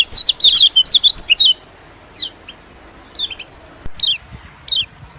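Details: White-eye calling, used as a lure for small birds such as white-eyes: a dense opening burst of high chattering chirps, then single thin downslurred notes spaced roughly every second.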